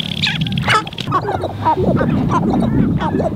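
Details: Several sharp-tailed grouse displaying on their spring lek in Montana call over one another in a dense chorus of cackles, whines and clucks, recorded from a blind, with a steady low rumble of wind underneath.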